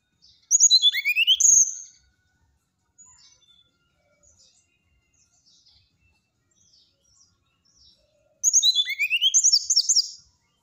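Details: Brown-chested jungle flycatcher in whistling song that reportedly riles a neighbouring bird of its kind; two loud phrases of quick, bright, overlapping whistles and rising slurs, each about one and a half seconds, separated by a long near-silent gap.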